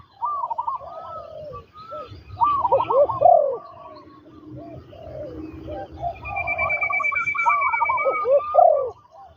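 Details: Spotted doves at a ground trapping site with a trained decoy bird, giving loud overlapping bursts of throaty, warbling coos. A thin, steady high whistle runs through the middle, with faint chirps from other birds.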